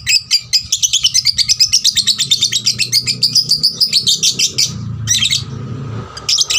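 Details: Captive 'paud' lovebird singing to provoke other lovebirds into song: a long, fast run of high, rasping chattering notes lasting about five seconds, followed by a short pause and brief renewed chatter, with low rumbling background noise.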